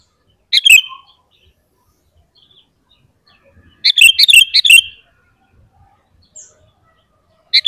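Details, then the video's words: Sooty-headed bulbul song meant to goad other bulbuls into singing: scattered short bubbly phrases with long silences between, the middle phrase a string of about five chirps. "SUARA BURUNG KUTILANG GACOR Paling Ampuh untuk Pancingan dan Masteran Bikin Kutilang Ribut"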